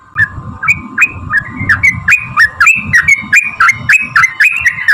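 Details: Sooty-headed bulbul in long rolling song used to provoke others into singing: a quick, even string of chirpy, swooping notes, around four per second, with a steady hum and low background rumble.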